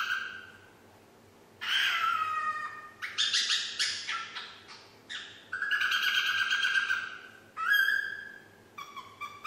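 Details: Female pet parrot, nine months old, attempts the Yankee Doodle tune with a run of whistled notes, some harsh and broken, others long and level, in bursts with short gaps.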